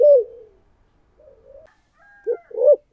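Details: Decoy spotted dove in thổ voice style: one loud falling coo, soft low murmuring, then two stressed coos at the end.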